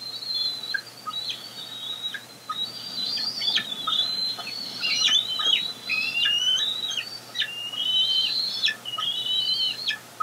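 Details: Wild bald eagle eaglets near fledging, perched on a nest branch on 14 April 2022 while an adult delivers fish; thin, high chittering calls, rapid runs of short piping notes and slurred whistles repeated throughout, slight steady background hum.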